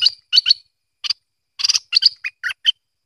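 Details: Bulbul known locally as merbah lekir or kuning, giving a short burst of bright chirped and slurred notes, some clustered in quick pairs, with brief gaps between phrases; no other sounds.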